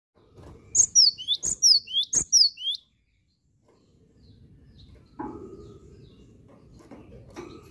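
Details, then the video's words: Cinereous tit in full, nonstop song: three quick phrases of a sharp high note falling into a slurred whistle, then a short pause and a quiet room with a faint thump. "GELATIK BATU HEBAT,GACOR LOSS"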